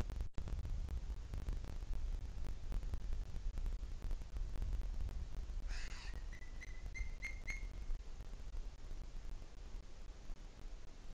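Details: Booted eagle in the Sierra de Guadarrama, 2 July 2021 at 17:53: a short series of clear, high whistled notes, rising slightly and quickening, over strong steady wind rumble.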